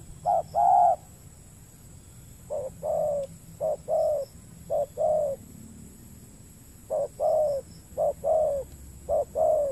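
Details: Spotted dove at a lure-trapping site on peat ground in the Riau Islands, Indonesia. Bursts of paired coos, a clipped note then a longer mellow one, come in uneven groups separated by pauses.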